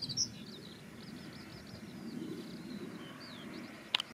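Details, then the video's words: Dunnock singing and looking around while perched on a yellow rapeseed plant in a field: a fast, jingling warble of high squeaky notes running for about three seconds, with a low rumble of background noise underneath. "Dunnock Singing"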